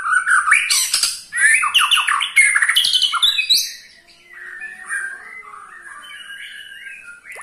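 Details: White-rumped shama ketrekan, said to make any shama join in singing: loud, harsh, squawky chattering bursts for about four seconds, then quieter scattered whistles.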